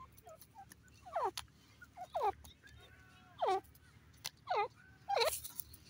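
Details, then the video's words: Grey francolin giving loud ringing calls, each a steep harsh descending burst, repeated about once a second with quieter short notes in between and some clicking background noise. "irani teeter ke awaz,grey partridge ki boli"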